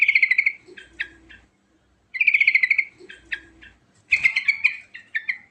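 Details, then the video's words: Rolling, richly varied song of a yellow-vented bulbul: three fast bubbly trilled phrases, each followed by short chips and scratchy notes, separated by brief pauses, the last phrase busier and more complex. "Suara Burung Trucukan Terbaik Ngerol Isian Mewah"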